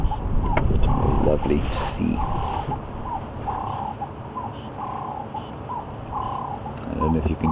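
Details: Ring-necked dove heard behind a safari vehicle at sunrise, 28 October 2015, near lions resting by a dam; a man speaks at first, then the bird's repeated low cooing phrases continue over vehicle hum.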